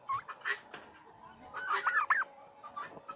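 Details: Turkeys on a farm in Bangladesh making scattered short clucks, then a brief run of wavering yelping calls, with quieter pauses between.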